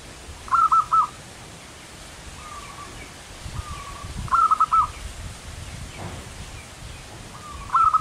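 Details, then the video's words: Local perkutut, the zebra dove, in energetic manggung song, repeating its phrase roughly every three seconds: soft level lead-in tones and three full bursts of rapid rolling coos, against low outdoor noise. "suara burung perkutut lokal manggung gacor"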